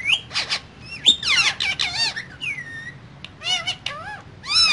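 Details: Green parrots, a pair in a cage, keep up loud busy chatter: harsh squawks, quick warbled slides and arched whistles in bursts separated by short pauses.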